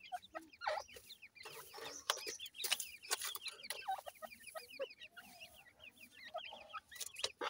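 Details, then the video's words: Francolin known locally as dakhni teetar, male and female compared by voice: dense strings of brief upturned chirps overlap in quick succession among frequent loud clicks and rustling knocks. "dakhni teetar male female difference,voice checks titur"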